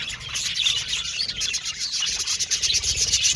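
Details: A colony of Australian budgies in an aviary, many birds chirping and twittering together in a steady, bright, high-pitched babble that swells slightly toward the end.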